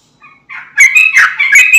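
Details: Sooty-headed bulbul (trucukan) in full, vigorous song used as a lure to make other bulbuls sing: a few faint whistles, then a loud, bubbly, warbling burst of rich whistled notes.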